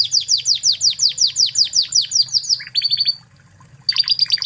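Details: Spanish Timbrado canary from Spain, a master recording for training other canaries: a rapid run of a dozen bright descending notes, then a short high trill, a pause and a final twittering burst, over a low hum.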